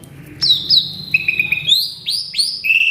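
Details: Male Asian pied starling, agitated and singing a full mimicry repertoire. A long whistled slur opens, then a few steady mid-pitched piping notes, then bright downward-curving whistles in a fast series.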